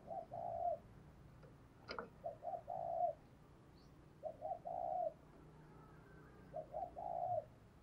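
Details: Spotted dove acting as a decoy, cooing so others will call: three phrases of short notes ending in a long coo, about every two and a half seconds, with one sharp click and background hiss.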